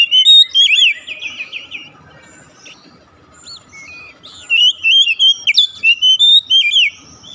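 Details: Lure song of an Oriental magpie-robin (kacer), played to coax a silent bird into song. Rapid trilled whistles open, a quiet spell follows, then a long, lively sequence of varied high whistled notes.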